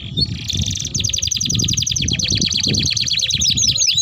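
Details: Domestic canary's long rolling song, used as a lure and as a master song for juvenile canaries: a brief buzzy note then a fast, even trill of repeated high chips ending in upslurs.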